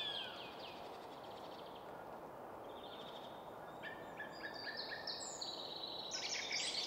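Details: Song thrush belting out song from a spruce top in woodland at Väsby sjöäng, Sweden: a quiet stretch, then clustered, stuttering high notes repeated rapidly, growing louder toward the end, against low distant traffic rumble.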